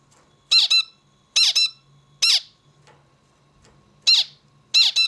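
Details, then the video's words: Zebra finch repeating paired nasal, trumpet-like notes with strong harmonics, each pair roughly a second apart with irregular gaps, in a quiet indoor setting with a faint hum. "Bird sings beautifully - zebra finch"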